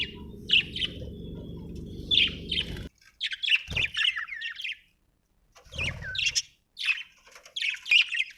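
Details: Budgie chirps and warbles in scattered bursts of harsh, chattering notes with brief silences. A low hum stops partway through, and a knock sounds.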